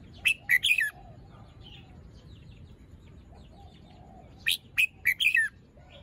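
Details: Morning song phrases from a caged juvenile red-whiskered bulbul with fluffed, unfinished plumage: two groups of four loud, chirpy whistles dropping in pitch at the end, with soft faint notes in between.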